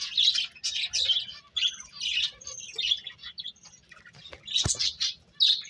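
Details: Birds chirping in scattered high tweets and squeaks, with one sharp click or tap midway and short whistled notes between the calls.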